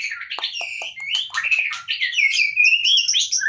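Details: Continuous song from a white-rumped shama taken out of its cage: bright warbled whistles rising and falling, mixed with short sharp chips and high twittering notes.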